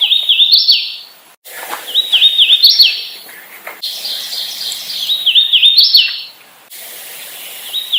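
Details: Hooded warbler: bright whistled phrases of wavering, slurred notes that end in a higher, rising flourish. Four phrases, repeated roughly every two and a half seconds, over quiet background.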